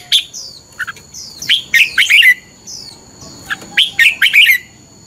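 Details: Red-whiskered bulbul singing in a morning training session, fighting song style: bursts of bright warbled and whistled notes with quick rising and falling slurs, two main phrases separated by short pauses, a steady high tone running underneath.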